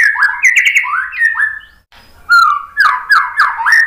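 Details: Rich, varied white-rumped shama song played to draw other birds into answering, with quick slurred whistles, downward-sweeping notes, a short gap, then loud rolling phrases.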